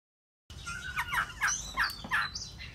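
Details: Hwamei singing after a short silence: a run of loud, sharply modulated whistled notes, each phrase sliding up and down and repeated about every half second, with a faint hiss beneath.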